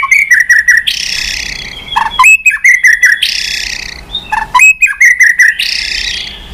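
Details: White-rumped shama pushed into intense singing with constant tail flicking: three repeated phrases, each a run of short bright notes ending in a harsh buzzy rasp, separated by short pauses.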